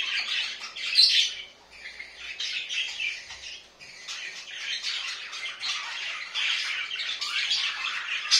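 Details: Budgerigars kept indoors chatter in scratchy bursts separated by brief dips, with a sharp squeak near the start, then rolling, grating warbles throughout.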